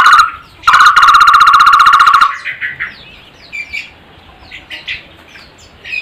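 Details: ['Barbet with a strange yet tuneful voice: a short burst and then a sustained, fast-pulsed, buzzy trill at a steady mid pitch for about one and a half seconds. Small birds chirp quietly afterward.']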